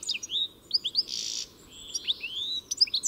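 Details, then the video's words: Goldfinch song in a short burst of liquid, high slurred notes and tinkling twitters, interrupted briefly by a harsh buzzy note in the middle before the twittering resumes. "Самая красивая песня щегла (Аудио) Как поёт щегол? Пение птицы щегол Песня щегла"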